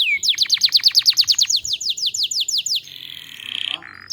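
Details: Singing canary used to prompt other canaries into song: a quick series of sharply falling whistled notes, about five per second, followed by a softer buzzy rattle and brief trill; faint low background hum.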